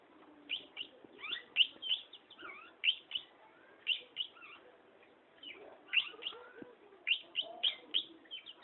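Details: Long-tailed shrike in full song, giving sharp, high chips and short whistled slurs in irregular clusters, some notes dropping in pitch, with brief quiet gaps between clusters.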